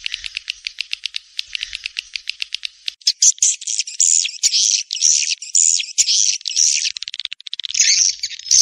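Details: Rainy-season breeding lure of edible-nest swiftlets: a fast train of dry clicks for three seconds, then long, loud, buzzy twittering phrases that rise and fall, separated by brief gaps.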